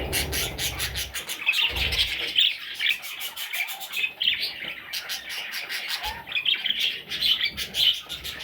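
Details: Several parrot chicks chattering in rapid, raspy high-pitched chirps, a steady overlapping stream with brief low bumps near the start.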